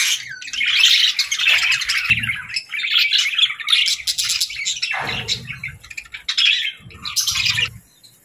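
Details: A lively flock of small birds keeps up dense, high-pitched warbling chatter with rapid chirps and squeaky notes, broken only by brief pauses and a few dull knocks.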